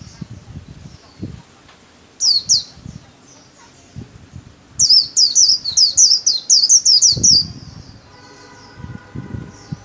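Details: Kept white-eye singing solo in a training session: two short bursts of high, rapid, twittering notes, the second a fast run of about ten descending chirps, with low thumps and a faint hum near the end.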